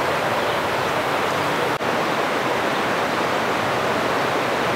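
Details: Steady broadband rushing of a waterfall or stream fills the recording, with no animal voice heard.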